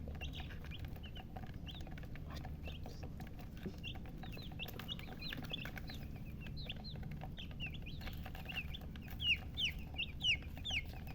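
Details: Several baby chicks chirping together: many soft, high, downward-slurred peeps throughout, growing louder and sharper in the last few seconds, over a constant low hum.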